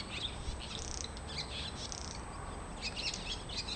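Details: Swallows visiting a home garden give quick, high twittering chirps in short bursts, several overlapping through the clip, over a steady low background rumble.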